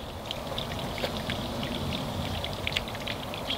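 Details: Rain falling on a surface, with scattered drips and trickling water over a low background wash; no animal voice.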